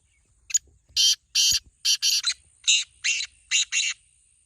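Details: Long calling bout from a black francolin: about ten loud, rasping, buzzy notes in uneven pairs and triplets, with a single knock early on.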